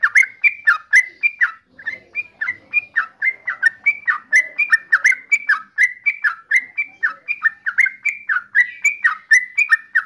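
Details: Steady stream of short, clear whistled notes from a yellow-vented bulbul, each quickly falling and lifting, repeated several times a second without a break for ten seconds.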